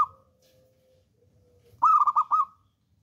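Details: Wild-type local zebra dove, a bold, persistent singer, giving a quick burst of about four rich, bubbling coos after a faint, long, steady hum; quiet background otherwise.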